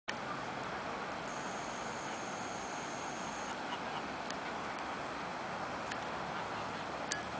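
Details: Steady traffic rumble at a river beach on the Pisuerga in Valladolid, with a brief thin high whine early on and a few faint clicks, but no animal calls.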